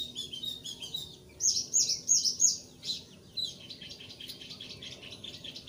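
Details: Lively song of a Thick-billed white-eye, played to prompt new white-eyes to sing along: a quick run of four bright, sharp high notes, then scattered thin twittering.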